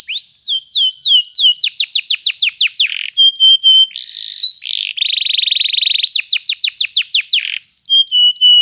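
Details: Canary song used as a lure to teach young canaries to sing, a long rolling style: rapid repeated downslurred whistled notes in fast trills, buzzy rattles and steady tones, changing phrase every second or two.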